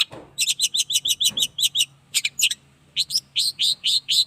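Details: Caged Long-tailed shrike aged 8 months, out for its first sunning, sings fast trains of harsh chirps, then a pause and a run of slightly rising, rasping notes, with a low background hum.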